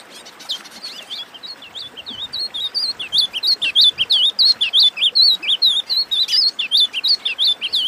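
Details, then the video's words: Wing-barred Seedeater (Sporophila americana) singing a fast, bright twitter of high, looping whistled notes, about three a second, with little pause between phrases. "Esquenta Pintada"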